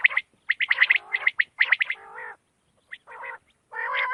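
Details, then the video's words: Quail calling at night, in a recording meant for quail hunting: rapid bursts of rough, harmonic chattering notes mixed with sharp clicky pulses, several quick clusters followed by lower gargled phrases and short pauses. "بٹیر کی رات والی بہترین آواز 2025//QUAIL sounds//Bater ki awaaz"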